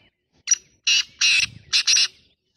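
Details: Black francolin (kala titar) calling in a lively, spirited voice: a loud, harsh, grating phrase of five rasping notes in about two seconds, a short opening note followed by grouped and paired bursts, with almost no background noise.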